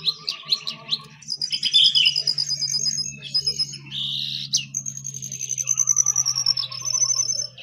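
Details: A jongkangan sings on top of its cage, mixing quick chirps, a sharp snap and long, thin, high whistled trills, over a steady low hum.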